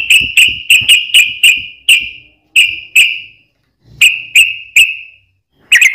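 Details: Sooty-headed bulbul singing to provoke other birds into answering: short, bright whistled notes on a steady pitch, each fading away, fired in quick bursts of three to six with brief silent gaps between groups.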